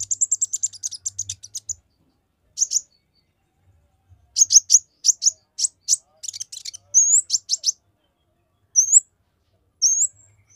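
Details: Olive-backed sunbird in rapid song used to rile rival males, opening with a fast run of high ticking notes, then after a pause spaced bursts of sharp chips and brief upslurred whistles.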